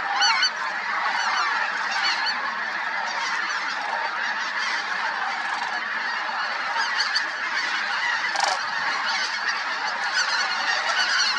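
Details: Large flock of flying Snow Geese at Merced National Wildlife Refuge, 21/02/21, sharing the sky with Sandhill Cranes. Unbroken chorus of countless overlapping honks and squeaky yelps, with occasional louder individual calls throughout.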